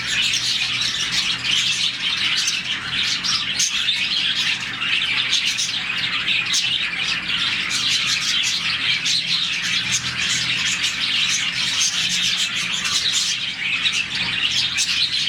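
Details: Around 40 budgerigars in a colony chirp through the morning, a happy sound; a long stretch of continuous, busy high twittering with sharp chirps popping out, many voices overlapping, faint low hum beneath.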